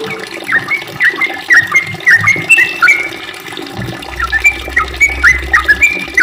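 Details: Sooty-headed bulbul in long, rapid song: short whistled notes with sharp downward and upward flicks, delivered in quick sequences with a brief pause midway, over a faint low rumble.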